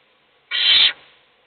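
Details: One steady, harsh hiss of about half a second from owls at a feeding, a chick being fed while the other chicks doze; quiet before and after.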